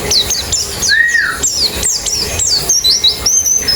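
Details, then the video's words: High sharp white-eye chirps with hooked downward slides and one lower drawn-out whistle, offered to make a white-eye sing quickly with its beak open. "Terapi Pleci Cepat Ngalas Buka Paruh"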